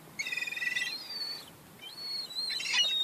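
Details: A young gull squabbling over crumbs lets out a rasping, pulsed squeal, then thin drawn-out whistles and a final harsh burst, loud and close.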